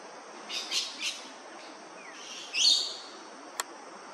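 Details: A preening male Australasian figbird, Yirrganydji Country, Far North Queensland, in tropical sun: three quick rasping chirps, then a louder drawn-out squeaky note and a sharp click, with a faint insect drone behind.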